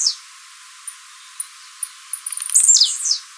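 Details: Blue-black grassquit, Mateiro style, singing live as a fibra training recording. Sparse high clicks quicken into a rapid series, then a loud, harsh, descending buzz.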